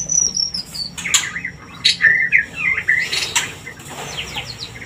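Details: White-rumped shama song used as a lure to raise mating desire: high thin whistles and sliding chirps, rapid varied notes, with wing flutters and a low background hum.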